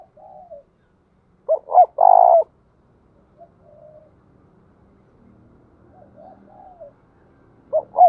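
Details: Decoy spotted dove, used to draw in wild doves, delivers a full coo of two short hoots and a long vibrating note, then quieter distant cooing. A new phrase begins at the very end.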